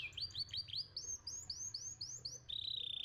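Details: Young canary singing a run of rising, curling whistled notes that climb step by step, then a fast steady trill at the end, against faint low hum.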